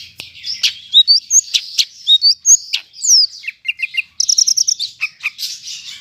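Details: Medan-type greater green leafbird in Bandung on Monday 5 September, delivering a tightly filled song of clear upslurred whistles, sharp chips and a fast trill of repeated high notes.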